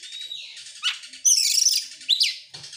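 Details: Excited oriental magpie-robin singing in the ngobra style while opening its tail, called gacor and nembak: a buzzy rattling trill leads into a bright, high whistled flourish, then sharp upward slurred notes.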